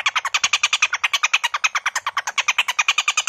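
A Stork-billed Kingfisher gives a loud, harsh, rasping cackle of rapid notes, about eight or nine a second, held steady throughout with no other sounds.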